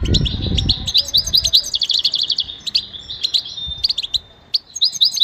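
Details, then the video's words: Goldfinch song meant to motivate singing: a rapid run of bright, liquid chirps and twittering notes that breaks off briefly near the end, with a low rumble in the first second. "Enjoy the beauty of the goldfinch and listen to the most beautiful motivational"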